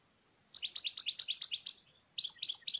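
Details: European goldfinch song: a quick series of bright, tinkling chirps runs for over a second, pauses briefly, then resumes with another fast, jangling twitter in a quiet setting.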